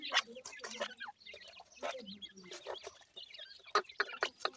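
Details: Grey francolin chicks producing rapid, high chirps and squeaky peeps in clustered bursts, mixed with low soft clucking notes.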